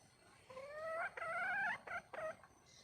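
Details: Female wild red junglefowl calling to attract a male, giving drawn-out, rising, harmonic wails followed by two shorter clipped notes, clear against a quiet background.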